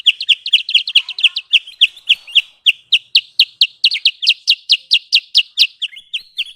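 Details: A sooty-headed bulbul (kutilang sutra) lure call for trapping birds: rapid, regular, high chirps in a dense rattling series, slowing slightly midway, then picking up again with sharp, bright notes.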